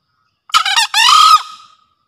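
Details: Single crow of a green junglefowl kept as a lure master, in breeding condition: short raspy opening syllable, pause, then a drawn-out harsh note fading away, with no other sounds.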